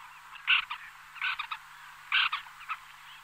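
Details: White-winged terns, a small flock calling in flight: harsh, rasping, buzzy calls in short bursts, three main outbursts about a second apart with softer chattering between.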